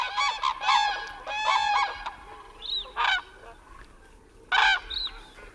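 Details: Wintering Common Cranes at a night roost, standing in water in the Tablas de Daimiel wetland, give loud, trumpeting, bugled calls in overlapping bursts with pauses between groups; ducks and lagoon sounds lie beneath.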